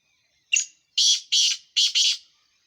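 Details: Black francolin, Sindh, giving a short scratchy note followed by four loud, harsh, grating notes in a rhythmic sequence, against a quiet background.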